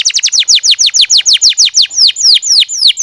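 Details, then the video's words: Canary singing, used to train other canaries: loud, quick descending whistled sweeps repeated about five per second, gradually slowing and lengthening over three seconds. "kicau burung kenari"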